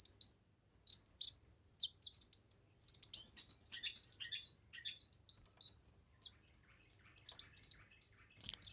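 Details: Training recording of a lively kemade: an almost continuous stream of high chirps, slurred whistles and quick twitters, with runs of even chirps repeating between looser, varied notes.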